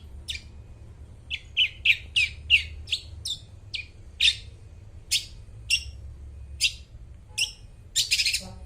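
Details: Long-tailed shrike in full song, used as a lure to prompt mute shrikes: crisp high chirps repeated roughly every half second, bunched early then spacing out, over a faint low hum.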